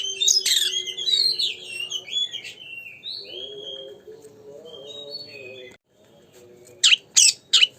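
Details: Kacer song for provoking a magpie-robin to sing: varied whistles and trills at first, fading to quieter phrases, ending with three sharp, evenly spaced notes.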